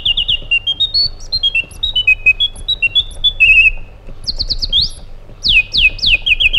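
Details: White-eared bulbul (Pycnonotus leucotis), called an Iraqi bulbul, song: a fluent run of clear whistled notes stepping up and down, then quick descending slurred phrases repeated several times over a low background rumble.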